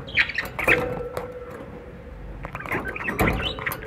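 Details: Budgerigar chatter: scratchy, irregular chirps and clicks, roughly two per second, over a low steady hum.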